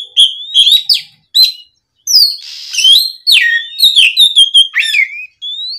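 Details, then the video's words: Kacer, the oriental magpie-robin, in full gacor ngeplong afternoon song used as a lure for untrained birds: bright repeated whistles, a harsh rasping burst after two brief silences, then rapid rising notes. "SUARA PIKAT BURUNG KACER GACOR NGEPLONG SORE, MEMANCING KACER BAHAN AGAR LEKAS BUNYI NYAUT & GACOR!"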